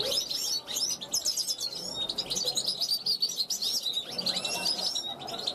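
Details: Balcony recording of a 2021 European goldfinch calling to wild goldfinches flying past: quick, sharp high chirps and liquid twittering phrases, loud and continuous.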